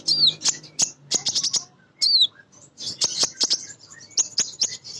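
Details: Crimson sunbird female calling to males, a sound meant to coax birds into song: bursts of piercing high twitters and two curling downslurred whistles, separated by short pauses, with sharp clicking between.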